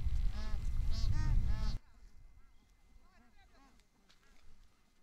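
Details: Bar-headed geese feeding on their wintering lake at Tehla Jheel, Sariska National Park, Rajasthan, India, give nasal, harmonic honks about four times a second, loud and close at first over a low rumble, then quieter honks from farther off.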